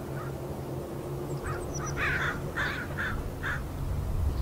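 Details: Marsh at Richmond, British Columbia, Canada, 16 May 2018: crows chatter near a listening heron, giving a run of harsh caws that grows louder mid-clip, with faint high chirps and steady low rumble.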